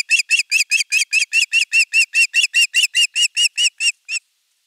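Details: Osprey at its nest on 23 June 2020, filmed by a live nest camera in the morning as a half-kilo crucian carp arrives. About twenty loud, whistled, slightly down-slurred notes repeat evenly, roughly two per second, then stop.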